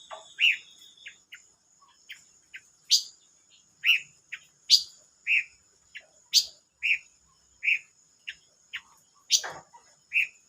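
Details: Silver-eared mesia, 25 May 2022: a brisk series of sharp high chirps and rounder lower notes, roughly two per second at times, over a persistent faint high-pitched whine.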